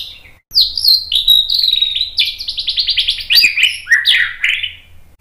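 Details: White-rumped shama song used to provoke birds into singing back. A loud, sweet whistle opens a long run of quick, rhythmic chirps. These give way to rich, falling and rising warbled phrases.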